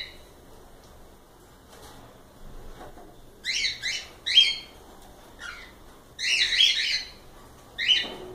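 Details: Cockatiels break a quiet start with loud, rich harmonic chirps in quick pairs and triplets, with whistled inflections at the peaks and faint soft notes in between.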